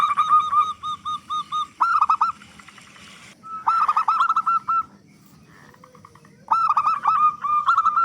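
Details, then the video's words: Big-voiced local zebra dove in full song, played as a lure so other doves start singing quickly: three bouts of rolling, stuttering coos, each ending in clipped whistled notes, separated by short quiet gaps. "Perkutut Lokal Gacor Suara Besar Pancingan Burung Perkutut Agar Cepat Bunyi"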